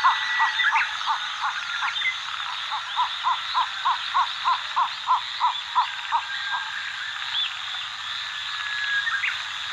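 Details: {'caption': 'Cinnamon bittern calling in Pingtung County, Taiwan, on 14 July 2022. It gives a long string of about fifteen low, knocking notes, about three per second, over a steady wash of insects and distant birdsong.'}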